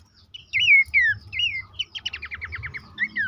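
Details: Horsfield's babbler song meant to coax caged birds into active singing: loud descending whistled slurs followed by a rapid series of about eight clipped falling notes, then another slurred whistle.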